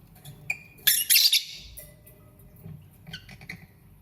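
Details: Lovebird chirping: a loud burst of harsh, high squawky chatter near the first second, then scattered thin chirps and a softer cluster toward the end, over a quiet low room hum.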